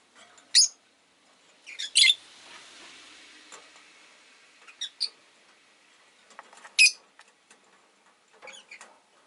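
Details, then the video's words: Rosy-faced lovebirds, five together in a cage beside a window, utter scattered shrill, scratchy chirps, some in quick pairs, with faint town noise underneath. "Lovebird Chirping Sounds"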